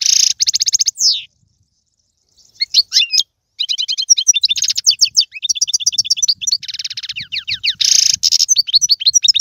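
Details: Lively twittering song of a European goldfinch, used as 'bitbita' to stimulate a pet bird: a fast trill, a second's silence, then tumbling chirps, metallic twitters and a buzzy rattle near the end.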